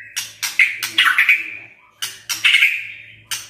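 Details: White-rumped shama singing in the kretekan and tembakan styles: loud rasping crackles and explosive bursts with short tonal whistles between them, in uneven groups of two to four.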